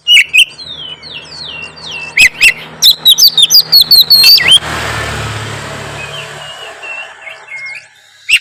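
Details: White-rumped shama song aimed at making other shamas respond: descending whistles and loud clicking phrases, then a rushing noise with a low hum masks the bird before a final sharp note.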